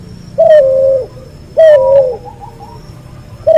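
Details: Hybrid Barbary dove, a cross of a white albino dove and a pelung dove, recorded as a tutor track: two long, level, resonant coos with bright overtones, followed by a faint higher warbling tone before a third coo begins.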